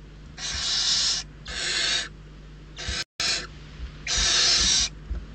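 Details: Barn owl chicks in Riet Vell Nature Reserve, Ebro Delta, begging hungrily as they dispute prey: four harsh hissing bursts of under a second each, with a brief dropout midway.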